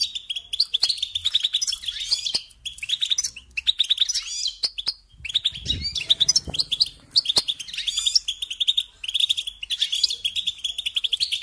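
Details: European goldfinch song for training young songbirds: fast, continuous twittering of high chirps and buzzy trills in repeated bursts, with short pauses between phrases and faint low thumps.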